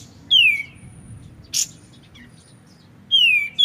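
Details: White-shouldered triller, kapas tembak, in a clear recording with pauses meant to tutor magpie-robins: two loud downslurred whistles, a brief hiss-like burst between them, and a short whistle at the end.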